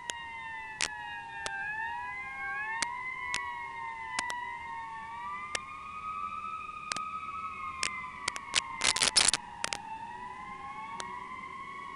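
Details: A wailing emergency siren rises and falls steadily, with scattered sharp clicks and a short burst of crackling, and no animal voices.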